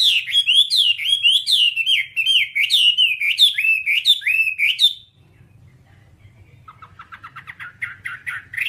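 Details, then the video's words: Whambie song meant for tutoring kept birds: five seconds of fast, loud, zigzagging whistled phrases, then near silence. It ends with a faint, quick series of high chips that grows louder. "Masteran Whambie nonstop 1 jam"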